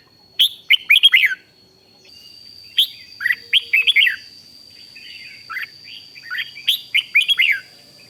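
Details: Red-whiskered bulbul giving its rik song meant to rouse other bulbuls; clusters of quick, sliding whistled notes repeat in three phrases, over a thin constant high-pitched hum.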